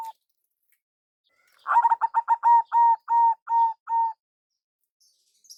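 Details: A local zebra dove with a big voice sings as a lure: a rapid stutter of short notes that slows into about five longer, level, mellow coos, then silence.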